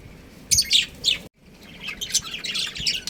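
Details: Breeding pair of pet budgerigars kept at home, giving dense bursts of high, scratchy chirps and warbles, with a brief silent gap midway before the chattering resumes.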